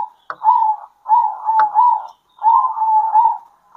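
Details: At midday local zebra doves answer one another with steady, burry cooing phrases, each under a second, repeated nearly without pause, with two faint clicks.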